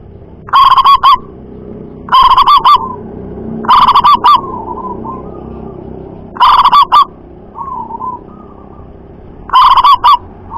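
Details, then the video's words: Local zebra dove with a loud, far-carrying voice: five bursts of rapid, harsh, clipped coo notes, one burst every one and a half to three seconds, with soft cooing between bursts and a low steady hum behind. "Perkutut Lokal Suara Lantang Mampu Jarak Jauh"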